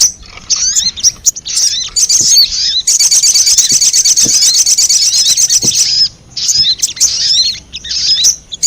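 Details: Lure sound meant to draw wild sogon birds in: scattered high chips and squeaky trills, then a long unbroken stretch of fast, buzzy, high chatter lasting about three seconds, followed by more broken chirping.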